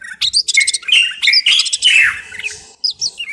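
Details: Common bulbul, Moroccan, in rich song: dense bursts of whistled and chattering notes, bright slurred phrases around the middle, a brief pause, then a few closing chirps.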